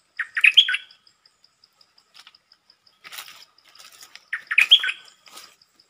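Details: Red-whiskered bulbul, a silver-cup champion bird, opening its song quickly: a short, pleasant burst of rich warbled whistles, given twice, with faint chirps between and a steady high ticking throughout.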